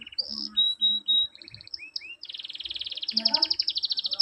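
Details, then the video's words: Mesteran canary song meant to make reluctant birds start singing and answer: brief chirps and a sustained pure whistle, two upward slurs, then an accelerating rattle of rapid high notes with soft low rustling beneath. "mesteran kenari males bunyi di jamin langsung nyaut"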